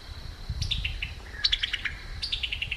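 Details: Summer tanager, a summer bird of the forest canopy, calling with its chuckling note: two quick bursts of clipped, descending chips over a low rumbling background.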